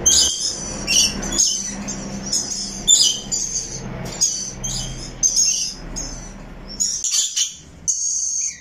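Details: Rainbow lorikeet parrot singing with chirps: a long series of short, harsh, shrill squawks repeated roughly every half second, over a low background hum, ending in a few longer screeches.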